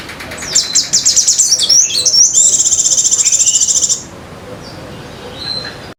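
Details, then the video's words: Competition Sunda minivet (sogon) delivering song with copied white-eye trilling: quick repeated high chirps, then a piercing rapid trill lasting nearly two seconds that stops abruptly, followed by a few faint notes in near quiet. "suara sogon isian pleci ngecir"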